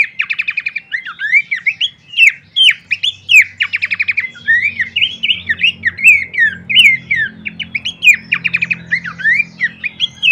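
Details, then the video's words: Horsfield's babbler song used as a lure and master recording for training birds: dense, rapid chattering of rising and falling whistled slurs with quick trilled bursts, continuous over ten seconds, with a low hum underneath. "pancingan dan masteran terbaik mewah khas burung pelanduk semak"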